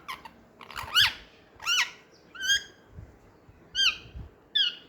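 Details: Young Indian ringneck parakeets playing with each other, giving harsh squawking chirps that rise and fall, about six calls spaced roughly every second, with soft background noise.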